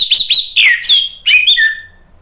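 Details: Ngeplong song of an orange-headed thrush, meant to draw answers from other birds: quick high whistled notes, then loud sweeping slurs and a falling trailing whistle.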